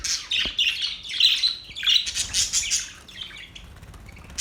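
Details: Budgerigars chirping and warbling in a rapid, irregular stream of bright, scratchy notes and short squawks, with dense overlapping phrases and a brief pause before a final burst.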